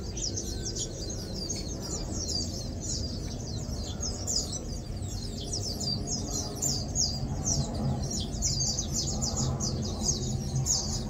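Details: A group of Lowland white-eyes (Matang Dulong) relaxing, feeding and preening together, giving a continuous stream of sharp, high, twittering chirps, many birds calling at once, with low background hum throughout.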